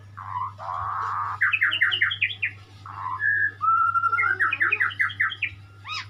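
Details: White-rumped shama in full song: mellow whistles followed by fast bursts of bright, ringing notes in two rapid series of about six, with varied slurred phrases between them, over a constant low electrical hum.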